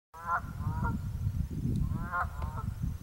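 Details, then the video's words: Two Canada geese honking at Mud Pond in Jefferson, New Hampshire: two nasal, harsh honks with rich ringing overtones, about two seconds apart, over a steady low rumble of background noise. "Candian Geese Honking"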